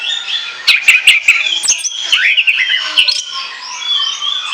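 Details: Chattering ngoceh song of an Orange-headed thrush, meant as a lure: a loud rush of sharp clicks, high whistles and rapid warbled notes packed closely together over four seconds.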